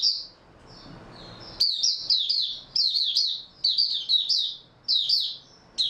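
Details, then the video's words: Oriental white-eye (mata puteh) song dated 3 March 2022: after soft opening notes, loud, rapid bursts of high slurred chirps arrive about every second, with very little background noise. "Mata Puteh Raja Video 2 buka sing tiong aw"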